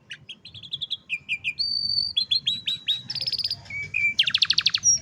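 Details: Cellphone recording of canary song meant to train young canaries: varied tours of repeated whistled syllables, long level high notes, and dense fast trills, each phrase changing pitch, with quiet low hum beneath.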